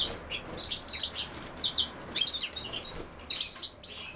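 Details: Goldfinch among common sowthistle producing high, liquid twitters and a sustained buzzy whistle, followed by further tinkling chirp bursts after short pauses.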